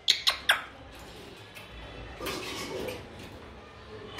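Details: Grey parrot in Dhaka, Bangladesh: three sharp, loud squawks in rapid succession within the first half-second, then only a low background hiss with faint rustling.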